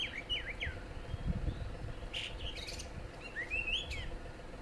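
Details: An Oriental magpie-robin at Cameron Highlands, Malaysia, gives clear, swooping whistled notes and a few harsher bursts, scattered over a few seconds above a steady low rumble.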